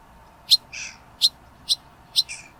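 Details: Juvenile barn swallow perched on a gate railing on the Isle of Sheppey, UK, recorded from a car window: sharp high chirps roughly every half second, alternating with short buzzier notes, over a faint steady hum.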